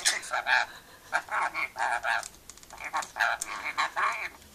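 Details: Pet rainbow lorikeet having fun chatting and laughing: bursts of harsh, harmonic chattering syllables in quick runs, grouped into several short phrases with brief pauses between them.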